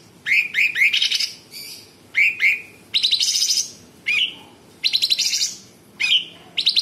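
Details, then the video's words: Sooty-headed bulbul singing in a busy 'tembakan' style, with coarse 'besetan' and full 'isian' fill. Sharp rising whistled notes in quick clusters of two or three alternate with harsh buzzy bursts, in close phrases about every second. "Cucak cungkok gacor Variasi suara tembakan istimewa besetan kasar jeda rapat dan FULL ISIAN"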